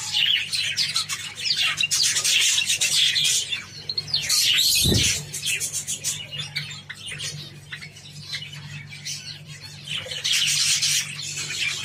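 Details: Several Java sparrows feeding on wheat grains: dense, overlapping high chirps and squeaky notes in rapid, irregular bursts, with a brief low thump near the middle and a steady faint hum underneath.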